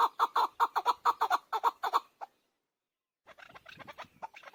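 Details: Chukar partridge, called chakor, with a quick run of loud harsh clucks for two seconds, a pause, then a softer, scratchier jumble of chattering notes.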